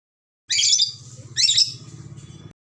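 A red lory gives two harsh, screechy squawks about a second apart, shrill and high-pitched, over a low steady hum.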